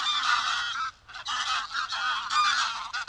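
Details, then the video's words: Greylag goose (Anser anser) recorded in the wild, giving loud, harsh, nasal honks in quick overlapping bursts, several per second with brief pauses, raucous and grating. "Greylag Goose Sound – Song & Bird Calls"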